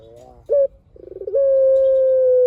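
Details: Singing puter (Barbary dove) in a long-voiced song: a brief clipped note, a pulsing rolling lead-in, then a sustained even coo held well over a second. The background is calm.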